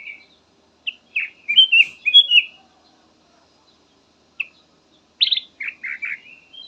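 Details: Black-naped oriole singing a soothing variety of phrases: quick clusters of clear whistled notes, some slurring down, then a pause with one lone note, then a second run of richer, slightly burry whistles.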